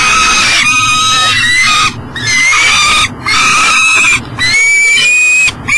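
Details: Peregrine falcon carrying breakfast, unable to get into a nest box at an energy station beside the Mississippi River, Elk River, Minnesota, 7 am, July 2012: loud harsh wailing calls with sliding pitch, repeated about once a second with short gaps.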